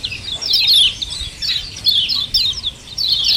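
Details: Common iora giving doubled "ciak ciak" calls as a lure to trigger singing in other birds: dense, high, twittering chirps in short runs, loud and nearly unbroken.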